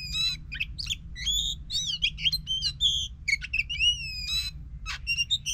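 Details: Oriental magpie-robin song used to prompt a silent bird to sing: a busy sequence of whistles, buzzy notes and quick slurred phrases, fairly soft, over a constant low background rumble.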